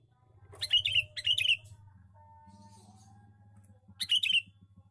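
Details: Male sooty-headed bulbul lure call in three short, lively bursts of chirpy, bubbling notes, two in quick succession and one after a pause, with a low buzzing hum and a faint whine between them.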